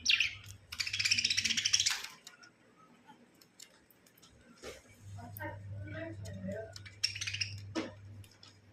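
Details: A yellow pet budgerigar playing with a new toy gives bursts of scratchy, high warbling chatter with short chirps, over a low steady hum.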